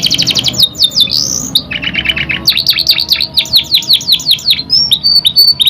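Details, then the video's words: Young canary breaking into song, recorded as a lure for other canaries: a chain of sharp downward-sweeping chirps repeated several times a second, mixed with short trills and high thin notes. "PANCINGAN KENARI PAUD PECAH SUARA | CANARY SINGING"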